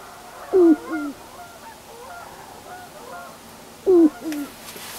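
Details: Sharp-tailed grouse at a lek in Carlton County, Minnesota, April 2013, amid a foot of snow; males dance with purple air sacs inflated, giving two low, hollow, downward-sliding hoots with softer notes and faint clucking.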